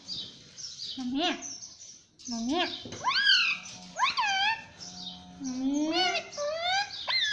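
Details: Indoor pet parrot repeating "mummy": a string of speech-like harmonic swoops and rising-falling syllables, some low and short, others high and bent, coming in quick bursts.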